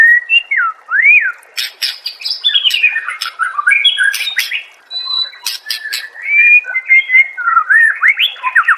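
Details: Master song of a white-rumped shama, played to make other shamas answer and sing: upslurred whistles opening into a fast, dense medley of chattering notes, sharp clicks and warbled phrases.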